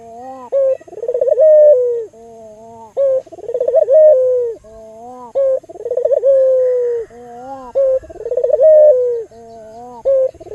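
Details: Captive albino Barbary dove of a local strain, calling repeatedly: a brief opening note followed by a drawn-out, vibrating, slightly descending coo, the phrase recurring at a steady pace about every two and a half seconds in a quiet setting.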